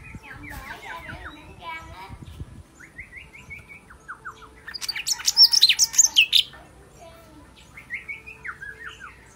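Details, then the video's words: Sooty-headed bulbul with a clear, powerful voice: several strings of rapid down-slurred notes, each series stepping lower, with a brief loud rattling burst in the middle and quiet background. "Burung Cucak Ranting Suara Bening Power Tebal - Tiếng chim thanh tước hay"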